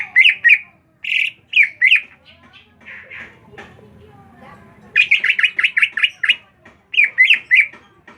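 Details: The ngriwik, a chirping bird, gives clusters of bright repeated chirps, a quieter middle section, then a rapid run of about eight notes and a closing group of three.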